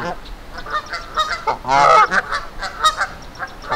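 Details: Canada geese in Victoria Park, Kitchener, Ontario, defending against a person: irregular nasal honks with one loud, drawn-out rasping call near the middle, trailing off into further short calls.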